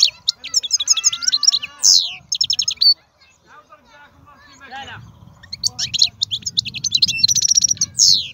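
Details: Strong-voiced wild European goldfinch delivering bright, rapid twitters and buzzy trills, falling quiet around three to four seconds, then resuming with dense chirping phrases over a low rumbling background.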